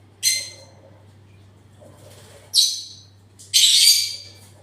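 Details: Parrot screeching loudly three times. The first two are short harsh bursts; the third is a longer, broad, grating screech. The calls come at uneven intervals against a faint low hum.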